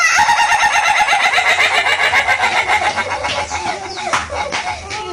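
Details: Dense, continuous laughing crow from an Ayam Ketawa rooster: rapid, evenly pulsed notes rolling on for five seconds without a break, loud and bright.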